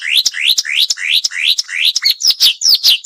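A flycatcher sings a fast series of high, upslurred chirps, about three per second, then breaks into quicker, varied whistled notes.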